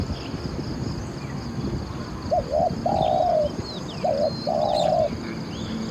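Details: Caged decoy spotted dove luring wild doves, cooing in two phrases: a short double coo, then a longer level hollow coo, repeated once. Other birds chirp faintly above a low rumbling background.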